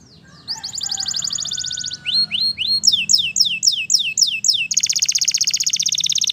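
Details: Wild canary song with fast changing phrases: a dense high trill, a few rising slurred notes, then a series of about eight sweeping chirps before a sustained rapid buzzy trill to the end.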